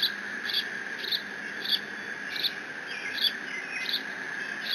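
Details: Bald eaglet alone at Decorah on 30 June 2017, squeeing while covering a fish brought by its father; fainter high chirps spaced one to two seconds apart under a persistent buzzing drone.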